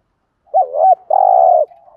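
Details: Spotted dove, a decoy bird, giving 'thúc gù' cooing in the 'giọng thổ' voice style. One phrase: a looping double note, a brief pause, then a drawn-out buzzy coo trailing into a soft tail.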